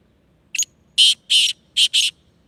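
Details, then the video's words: Sindhi black francolin giving its harsh call: a brief sharp opening note followed by four rasping, buzzy notes in two pairs, loud and clear against a quiet background. "Sindhi Kala Tetar Awaz"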